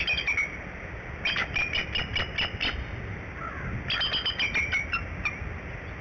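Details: A female Bald Eagle incubating eggs at the Decorah nest calls at 6:22 am on 17/03/11 for her mate to relieve her on the morning shift: two bursts of high, thin chittering, each about six squeaky pips, over low wind rumble.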